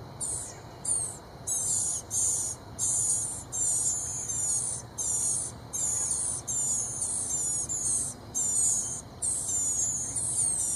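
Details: Blue-gray gnatcatcher chicks clamouring for food as parents arrive with bugs: nearly continuous high, sizzling, buzzy hisses in about fifteen loud bursts over eleven seconds, with only brief gaps between them.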